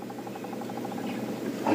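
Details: Woodpecker in the African bush on an evening game drive around sunset, 27 August, drums a quick, even roll of about ten taps per second, fading after a second; the drumming is for communication, not feeding.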